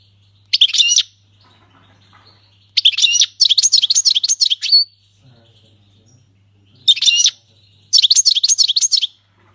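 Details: Syrian goldfinch singing the song style called the king's language, without mistakes: bursts of high, rapid, twittering notes in quick trills, four phrases separated by short pauses, over a faint steady low hum.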